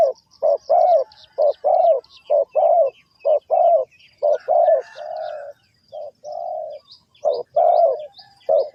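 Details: Spotted dove call series, linked to bird trapping: rapid low coo notes with a few longer held coos mixed in, fairly continuous. Light high chirping from small birds in the background.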